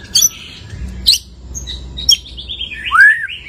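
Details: White-rumped shama just out of moult giving scattered sharp clicks and a few whistled notes, ending in a loud slurred falling whistle over low background hum.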